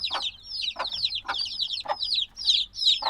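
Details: Young black chicks, hatched a few days earlier, repeat shrill down-slurred chirps in quick bursts, with soft dull taps about every half second and brief gaps in the calling.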